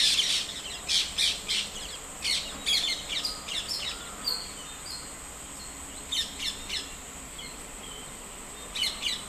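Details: White-throated kingfisher, also called white-breasted kingfisher, in India: bursts of sharp, high chattering notes in quick runs, pausing then resuming, over a steady high insect-like whine.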